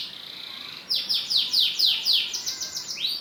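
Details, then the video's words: Canary lure song for making other canaries sing, opening with a soft high rolling trill, then a series of loud falling sweeps repeated about four per second and a final rising whistle. "PANCINGAN KENARI GACOR DOR NGEREK PANJANG INI AMPUH BIKIN KENARI LAIN BUNYI"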